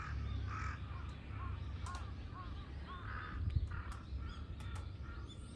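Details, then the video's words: Crows, three of them, harassing a hawk on 21 October 2023: scattered hoarse caws, some short and clipped, others drawn out, coming at irregular intervals against constant low-pitched outdoor rumble. "3 crows vs hawk ,カラス,까마귀"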